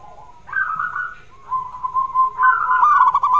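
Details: Zebra dove song for encouraging a lazy singer: a rising pulsed coo, a sustained even tone, then a louder rattling trill with bright overtones, with a faint lower coo underneath.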